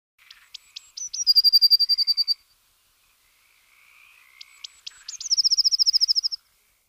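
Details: Eurasian blue tit (Cyanistes caeruleus) singing twice on 10 March 2018: a few thin, very high notes, then a fast, even, ringing trill lasting about a second.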